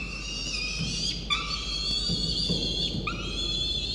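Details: Hungry peregrine falcon chick begging from its mother shortly after a feeding, nibbling her talons: drawn-out high whining wails, each starting with a brief upward kink, over constant background hum.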